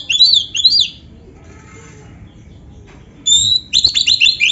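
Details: Oriental magpie-robin (kacer) singing a full gacor song filled with canary phrases: two loud whistled, downslurred phrases, a quiet pause, then a burst of rapid, sliding whistles and chirps against a soft low hum.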